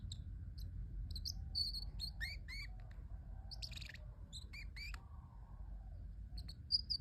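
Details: Pet parrotlet making cute sounds indoors: scattered high, thin chirps and short tweets with a few descending squeaky notes, irregular and bursty, over a steady low hum.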